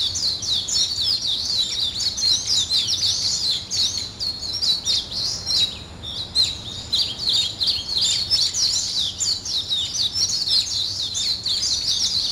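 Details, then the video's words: Morning chorus of birds: continuous shrill chirping and twittering at high pitch, densely layered, easing briefly around the middle before resuming at full strength; faint low hum underneath. "아침을 깨우는 새소리 2 ,Birds wake up in the morning 2"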